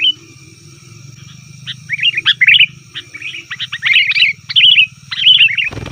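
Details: Sooty-headed bulbul giving busy 'ribut' calls meant to lure wild bulbuls: quiet start, then bubbly chirps building into quick warbling chatter, closing on a sudden thump, with a steady electrical hum beneath.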